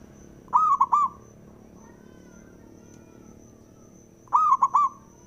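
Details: Song of a male zebra dove, a local perkutut from Java, meant to stir rival doves into singing: two three-note cooing phrases, about four seconds apart, each a soft whistled coo, a clipped middle note and a trailing end.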